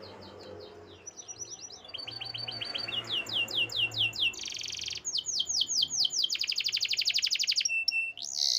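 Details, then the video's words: Canary singing a long varied song: series of rising and falling whistled syllables repeated in tours, a buzzy rattle, then a very fast high trill, over a low background hum. "Natural Sound of Forest Birds Chirping || Canaries"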